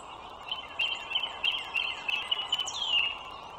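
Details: High squealing chatter from wild bald eagles at their nest along the Dulles Greenway, northern Virginia, morning of 21 March 2023. Quick piping notes run in a string, then a loud downward-sliding whistle near the close.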